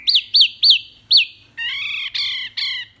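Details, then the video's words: Wambi rapid-fire song used for training songbirds: four bright arched whistles in quick succession, then three longer, harsher, buzzy notes with layered tones. "SUARA JERNIH TEMBAKAN WAMBI MINI"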